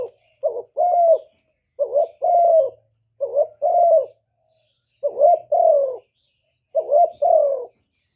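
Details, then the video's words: Spotted dove cooing: five loud phrases about every 1.4 seconds, each a short rising note followed by a longer, steady, slightly falling hoot. A quiet background hum is also present. "TIẾNG CU ĐẤT, CU CƯỜM GÁY"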